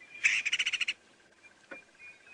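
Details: Great spotted cuckoo giving its more common call in the Lowveld, South Africa, played during a sunrise safari drive in October: a rapid, harsh chattering burst of about eight grating notes in under a second, then faint background sounds.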